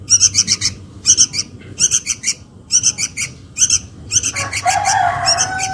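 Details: Young sooty-headed bulbul calling for its mother, a lure recording: clusters of three to five rasping chirps repeated about every second, with a lower drawn-out whistle from another bird near the end.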